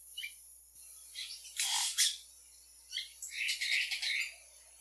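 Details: Yellow-rumped cacique giving loud harsh squawking bursts, interspersed with short whistled notes and a scratchy chattering run.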